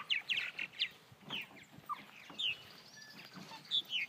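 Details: Purple martins in Elbert County, Georgia, give throaty chirps and short downslurred gurgling notes, loose and overlapping, as if from several birds, over a light steady hiss.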